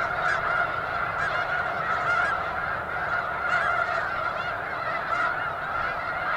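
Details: Snow geese, a flock of many thousands at McNary National Wildlife Refuge in Washington, give a dense, continuous chorus of overlapping nasal honks that merge into a steady roar.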